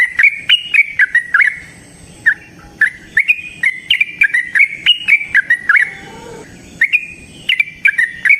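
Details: Energetic Yellow-vented bulbul song used as a lure call for other bulbuls: quick bursts of sharp chirpy notes rising then falling, a brief lull mid-way, then more rapid chirping.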